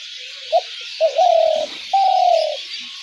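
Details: Spotted dove cooing, as used for dove trapping: a short note, another short note running into a long level coo, then a slightly falling long coo, with steady hiss behind.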